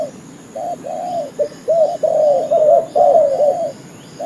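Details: Spotted dove cooing as a trapping lure, a quiet opening note followed by a run of linked, arching coos that rise and fall, growing busier toward the middle, then silence.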